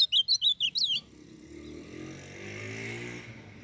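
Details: Ultramarine grosbeak (Cyanoloxia brissonii) from Brazil's Northeast, a young captive bird still in brown plumage, sings a brief burst of about six high, sweet warbled notes in one second, then low hum and background noise; used for training and warming up.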